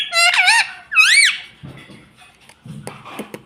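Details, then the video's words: A pet parrot, apparently saying "Mummy Papa", gives two high, squeaky, word-like phrases, each rising and falling in pitch, followed by faint low room noises. "Parrot Talking Mummy Papa"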